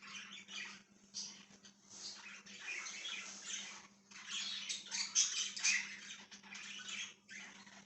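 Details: Budgie chatter recorded 1/6/2023, with rapid, grating warble bursts broken by short pauses and a few sharp high chirps midway, and a constant low electrical hum beneath.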